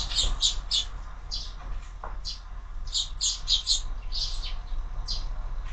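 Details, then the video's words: Quick clusters of chirps from sparrows at a feeder on a window in the morning, grouped in twos and threes with brief gaps, low background hum. "Воробьи в кормушке - утро"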